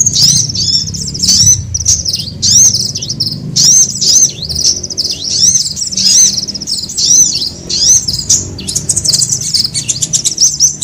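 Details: Sunbird, known locally as kolibri, in a lure recording used to attract birds: high, thin, rapid twittering notes with repeated sharp downslurred chirps in bursts, over a low background rumble.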